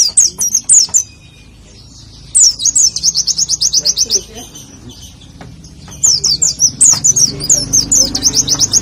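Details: Warbling white-eye performing 'nembak' tutor song meant for morning play: three bursts of rapid, high, machine-gun-like repeated notes broken by quieter gaps.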